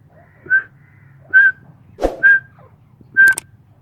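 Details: Irani teetar, a kept grey francolin, gives four short whistled notes at a steady pitch, with a brief sharp click between them and a low background hum.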